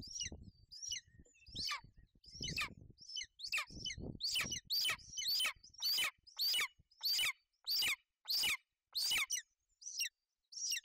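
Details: Golden eagle at a Bucovina nest on 28 May 2021, female sheltering her chick from inclement weather: high, sharp descending chirps repeated about every three-quarters of a second, with faint low rumbling in the background early on.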